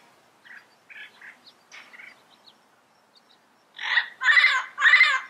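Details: Wild yellow-headed parrot: soft, scattered chatter notes at first, then three loud, raspy squawks in quick succession that dominate the end.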